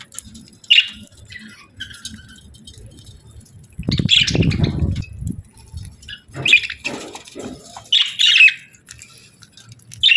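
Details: Parakeets chirping happily: short, sharp, high chirps scattered across quiet gaps, a low rumbling bump partway through, then a run of clustered chirps toward the end.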